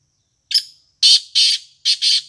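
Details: Harsh, grating call of a black francolin: a brief introductory note, then four loud buzzy notes in a rhythmic sequence, the final pair nearly joined; quiet surroundings.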